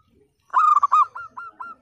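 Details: Local zebra dove in full voice, a split-voice style, with one warbling rolled coo followed by a row of short evenly spaced coos, used to prompt silent or lazy birds to sing.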